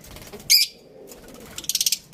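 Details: Budgerigar giving one loud sharp high chirp followed after a pause by a quick ticking series of about six short high notes.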